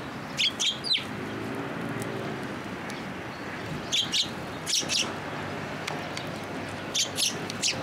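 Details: Sparrows coming to a bridge over water at a Tenmangu shrine to be fed, 9 October 2022, early afternoon: sharp short chirps in scattered clusters of two to four, with quiet gaps between, over a steady low background hum.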